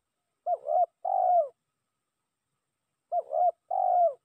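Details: Spotted dove lure call used to challenge a rival, delivered as two matching phrases roughly two and a half seconds apart, each a wavering double coo followed by a longer, smooth coo dropping in pitch, against a silent background.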